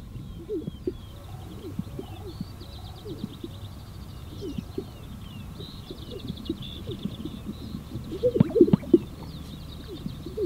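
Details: Greater Sage-Grouse males displaying to females on a spring lek in sagebrush steppe, southern Wyoming, around sunrise, inflating yellowish air sacs; steady run of overlapping low, hollow pops and gulping thumps, with thin, high chirps from small birds above.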